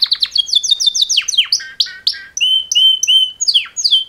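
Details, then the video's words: Male canary mating song from a pair of males: quick descending chirps, short whistled notes and clear sustained piping whistles, delivered in varied bursts with brief pauses. "Super Two Males Canary Mating Call Songs"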